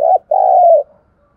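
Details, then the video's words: Decoy spotted dove cooing to provoke wild doves: a brief coo, a short gap, then a longer, level, hoarse coo that fades out. "Tiếng chim cu gáy mồi thúc bổi rất sung"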